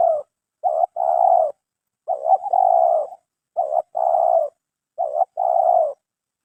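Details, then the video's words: Caged spotted dove, kept for its voice quality, cooing in a clear, hollow three-part phrase: a short note, a second short note, then a long drawn coo. The phrase repeats about every two seconds. "TARGET SUARA MERSIK BERHASIL KITA BUNGKUS"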